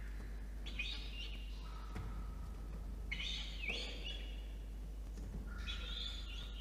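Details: Peregrine falcon chick begging while being fed at a water-tower nest box in Orange, NSW, Australia, evening of 5 November 2021; three well-spaced bursts of shrill, wavering screeching over a low steady hum.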